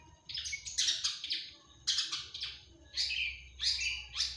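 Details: Actively singing long-tailed shrike (cendet) with 'tembakan' fill: clustered grating notes in uneven groups of two or three, separated by brief gaps.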